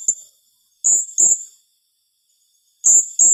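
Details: Piercing high notes from a blue-crowned hanging parrot in the "tembakan rapat" rapid-fire style said to rattle opponents, given in close pairs with a short silence between bursts.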